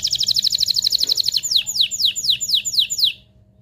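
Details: Canary in mating song to excite females and males: a fast even trill of high notes, then a slower run of about six downward-sweeping slurred notes before stopping.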